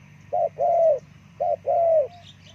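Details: Spotted dove, called terkukur, used as a lure call for wild forest birds; two paired coos, each a short note followed by a longer, slightly descending coo, about a second apart, over a low steady hum.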